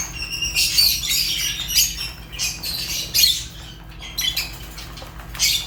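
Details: Fischer's lovebirds giving rapid, high, scratchy chirps in irregular bursts, several birds calling over one another with short gaps.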